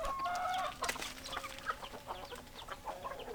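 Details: Hens and roosters in a flock, with clucks repeated rapidly and irregularly, several harmonic-rich nasal calls near the start, and a busy overlapping chorus of chickens.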